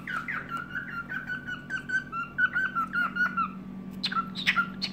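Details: Pet cockatiel singing in the evening: a run of short whistled notes and slurred chirps, some rising, some falling, over a steady low hum in the room.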